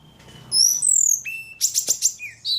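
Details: Very active ledekan singing a short high burst: smooth sliding whistles, a steady flat tone, then a quick rattle of bright chirps and a final short whistle.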